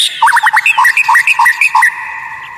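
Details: Caged white-rumped shama on a masteran training recording: a string of about a dozen short bouncy two-tone whistled notes, evenly paced, fading out into a faint steady hum.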